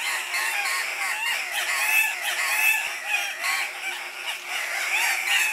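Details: Displaying male Andean cock-of-the-rock calling at their lek: a thick, unbroken chorus of wavy nasal squawks and sharp harsh notes overlapping from several birds.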